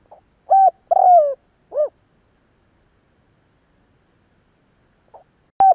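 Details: Spotted dove giving a calling phrase meant to stir up other doves quickly: a short low hoot, a longer coo sliding downward, then a clipped final note, with a faint note and the start of another phrase near the end; otherwise quiet.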